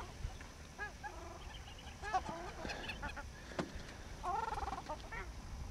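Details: Indian skimmers on the Chambal River, India, on 28 November 2007, give nasal, yapping calls in short irregular bursts, several birds overlapping, with soft background noise.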